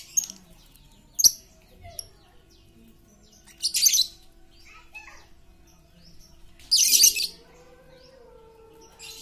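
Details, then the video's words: Very talkative lovebird, played as a lure to get quiet lovebirds singing: harsh, buzzy shrieking bursts at about 1, 4 and 7 seconds, with faint chirps from other small birds between them. "Pancingan Lovebird super cerewet untuk memancing Lovebird diam jadi fikter"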